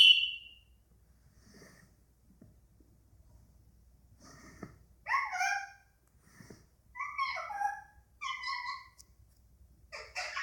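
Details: Pet Indian ringneck parakeet, male, indoors in a small room, chattering rather than talking: short warbled, mimicked-sounding notes with stacked tones, a brief high squeal at the start and scattered bursts after long quiet gaps.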